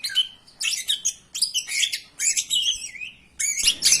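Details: Greater green leafbird singing as a lure for other songbirds: clear whistled notes mixed with tumbling, chattering phrases delivered in short bursts with small pauses.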